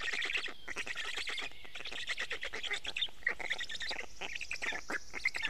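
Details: Black stork young being fed fish by a parent at their Estonian nest on a May 2018 morning; chattering, hoarse begging pulses in quick bursts, with a brief high whistle from another bird.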